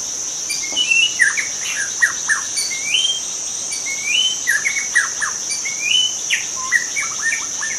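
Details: Young shama from the forest singing rich, varied song: rising whistled slurs, sharp chips and short chattering runs, fairly continuous, set against a steady piercing insect drone.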